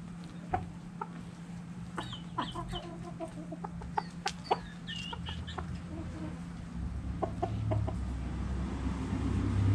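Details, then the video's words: Chickens and roosters dirt bathing; short clucks and a few higher squawks come in quick irregular bursts over a constant low hum, then fade as rumbling background noise grows louder. "Chickens And Roosters Dirt Bathing Clucking Crowing"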